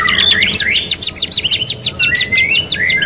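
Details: Canary, kenari gacor style, from a 3-in-1 master training recording, delivering quick repeated sweeping chip notes, about three per second, then a clear level whistled note running beneath the later phrases.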